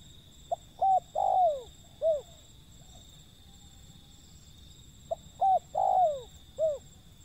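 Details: Wild zebra dove repeating its phrase twice roughly four and a half seconds apart: click, arched coos, a long sliding note and a closing coo, over steady background hum.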